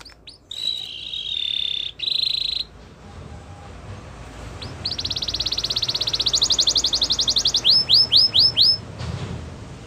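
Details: Belgian canary warming up its song for females: sustained whistled tones, a pause, then a long rapid even trill that shifts higher and ends in five slower rising sweeps, over faint low background hum.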